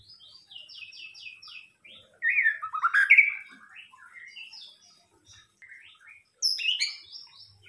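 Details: White-rumped shama (murai batu) singing a lure song (pancingan): rapid descending chirps, then louder rich warbled phrases around the middle, a quieter stretch, and a bright burst of high whistles near the end.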